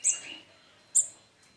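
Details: Hand-reared olive-backed sunbird chick, about 21 days after hatching, now independent, drinking condensed milk and eating ant eggs; two sharp, very high chirps about a second apart, with a faint third chirp near the end.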